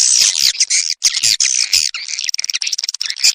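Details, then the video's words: Edible-nest swiftlet lure sound for attracting swiftlets: harsh high squeaky chatter, first in long rasping bursts, then a quick ticking series of short chirps. "SUARA PANGGIL RAJA PIKAT WALET"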